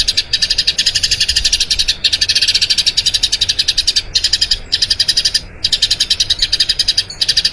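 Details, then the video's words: Rolling song of a Eurasian tree sparrow used to tutor other birds: bursts of fast, bright chirps a second or so long, separated by short silences, repeated several times. "Masteran Burung Gereja Ngerol Panjang"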